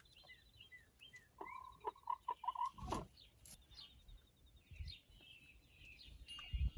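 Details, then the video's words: Backyard rooster whistling and giving alert noises for an unknown reason: a short burst of clear, repeated mid-pitched notes in quick succession, then softer scattered calls, with a loud thump and low rumbles in between. "The Weird Noises Roosters Make"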